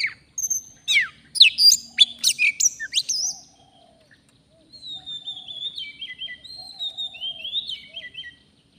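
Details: Oriental magpie-robin, a forest bird, recorded during bird trapping: a burst of sharp, varied chirps and whistles, then a pause and a long, thin, wavering whistled phrase with repeated descending notes.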